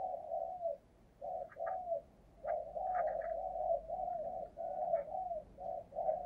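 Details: Decoy spotted dove in thúc gù cooing, kept to attract wild doves: a run of short, low, husky coo notes grouped in repeated phrases, with soft clicks and distant chirps in the background.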